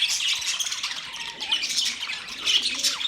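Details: Budgies in a new cage setup give a brief burst of squeaky chirps and warbled notes, several birds overlapping in a dense, high twitter.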